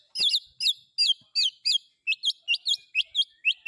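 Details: White-rumped shama giving a mimicked speed-cililin style phrase: about ten sharp, high looping chirps in quick, evenly spaced succession, clean and loud, with no other sounds.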